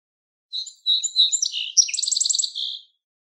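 Song Sparrow song: a few clear introductory notes, then a fast buzzy trill of repeated chips, ending in a short falling phrase, all high-pitched.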